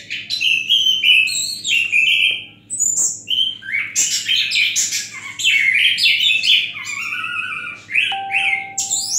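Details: An Orange-headed thrush sings calmly with the "gazing at the sky" look: choppy, varied whistled phrases, one short pause, then a busier run of rolling, descending notes and harsh chatters. A faint low hum and a brief tonal beep near the end.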